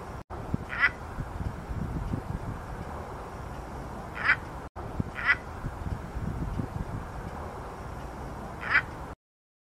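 Crested ibis giving four harsh, nasal, quack-like calls at irregular intervals over a steady low rumble of background noise.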